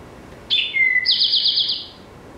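An Eastern Towhee sings its 'drink your tea': a clear high note, a lower whistled note, then a fast ringing trill lasting nearly a second.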